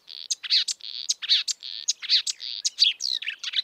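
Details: Wild kerak basi, the marsh warbler, mixing steady nasal buzzy notes with sharp high clicks and scratchy chirps in a busy, continuous phrase.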